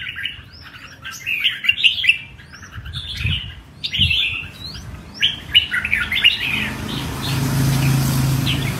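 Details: Red-whiskered bulbul kept as a pet bird, singing a show-style song of lively chirpy phrases with bouncy up-and-down notes. Some soft thumps are heard, and a low rumbling hum rises near the end.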